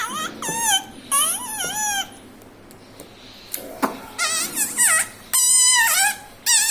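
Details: Pet talking parrot said to say mummy, papa and radhe radhe; a run of high, bending, harmonic-rich vocal phrases with short pauses, several rising then falling, ending with a long steady note and a final burst.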